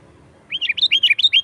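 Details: Lively sooty-headed bulbul song meant for calling wild birds: a quick run of about eight hooked, chirping notes that rise and fall, beginning abruptly after a short quiet moment.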